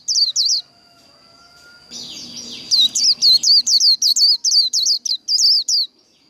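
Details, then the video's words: Japanese white-eye singing in the competitive 'líu đấu' (khuyên líu) style: a rapid string of high, sharply whistled slurred notes, each rising then falling, delivered in quick bursts after a brief pause, with a faint steady tone and slight background hiss. "Vành khuyên líu đấu"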